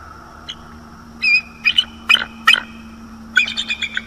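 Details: Bald eagles at a nest on Florida's northeast coast at night, October 2022; short high squeaky chirps and piping notes in quick clusters, rising into a rapid chattering run at the end.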